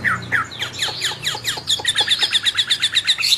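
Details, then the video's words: Captive-bred albino Chinese hwamei singing: two downslurred whistles, then a rapid run of sharp descending notes that settles into a fast, even series of high chips, about two per second. "Kicau wambie albino"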